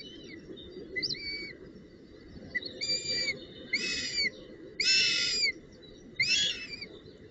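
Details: At the nest on 19 June 2018, a female northern goshawk with a branch and prey. Soft short whistles build into louder, harsh harmonic squeals. About six bursts, the fourth strongest, over continuous low rustling.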